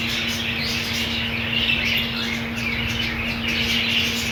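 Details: Colony of budgerigars with green food: busy high chatter with some harsher squawky notes mixed into soft warbling, continuous throughout, a steady low hum in the background.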